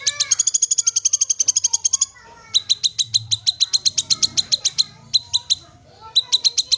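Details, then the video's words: Kinoi, or black-capped babbler, call to set off an untrained bird: rapid, bright chip rattle for two seconds, a gap, then quick series of high ticks in short groups. "Gak Usah Nunggu Menitan, Kinoi Bahan Langsung Bunyi Dengar Suara Call Kinoi ini"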